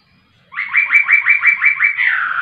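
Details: Laughingthrush singing vigorously: a rapid series of seven upslurred whistled notes, about three per second, followed by a longer, slurred, falling note. The background is quiet.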